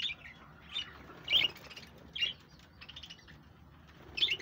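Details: Pet budgies chirping on 1 June 2024: quiet, high squeaky chirps in spaced clusters roughly every second, soft and scratchy, with faint low background hum.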